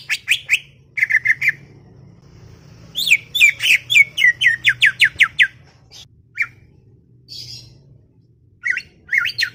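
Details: Garden-kept greater green leafbird chattering: short clusters of bright notes, then a fast run of sharp, falling, buzzy notes, pauses, and further scratchy bursts, with a steady low hum beneath.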